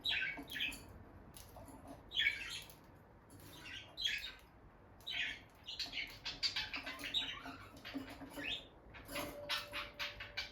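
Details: Peach-faced lovebird couple, a bonded pair staying close by the nest box as the female enters and leaves; rapid high squeaky chirps arrive in short bunches every second or two, with a steady faint room hum.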